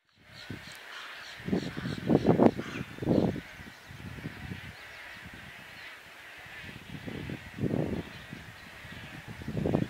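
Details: Wood storks at their nests in May 2017 at Harris Neck, Georgia: harsh, low, rasping croaks and grunts in irregular clustered bursts, the loudest bunched together early and again near the end, over a steady background hiss.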